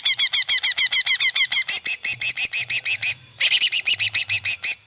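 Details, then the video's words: Greater green leafbird kept as a song tutor, delivering a fast series of sharp, bright repeated chips that shift to rounder looping notes, with one short pause. "Burung Masteran Cucak ijo Langsung On"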